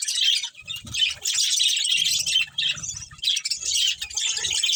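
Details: Budgerigar chatter from a colony with a breeding pair: busy high twittering and scratchy chirps overlapping continuously, easing briefly near one-half and two-and-a-half seconds, soft low rustling beneath.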